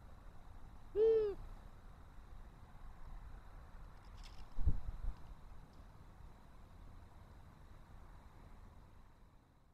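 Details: Long-eared Owl on 18 March 2024, apparently showing interest in a nest, gives a single low, soft 'hoo' near the start, followed by a faint knock and a quiet background hum.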